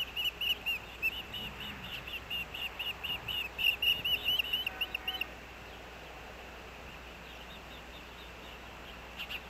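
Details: Osprey father bringing a fish to the Hellgate nest in Missoula, Montana, August 2024, nest camera: a string of high whistled chirps for about five seconds, then near silence.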